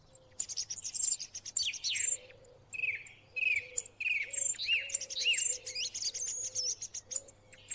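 A song thrush sings loud, varied phrases of clear whistles and sharp high notes, repeating several motifs in quick succession over a faint low hum.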